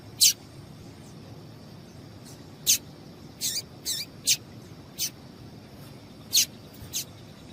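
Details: A female Double-collared Seedeater call, used to stimulate males to sing, gives short, sharp, high chips, about eight in seven seconds at an uneven pace, over a soft background hiss.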